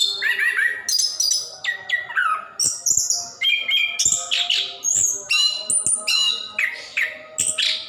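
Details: Ngerol-style song of a plontang orange-headed thrush, used to encourage lazy caged birds to sing; quick bursts of mixed whistles, harsh squeaky notes and rising slurs, each burst separated by very short gaps.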